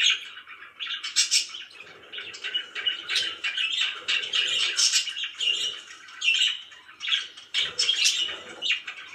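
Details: Very happy pet budgies in a continuous chirping chorus, rasping warbled phrases and quick high tweets running together, brief softer gaps between louder bursts.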